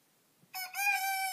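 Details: Rooster crowing at 5 in the morning: a brief, loud, strongly harmonic crow that starts with a short note, then swells into a sustained, slightly wavering cry with no other sounds nearby.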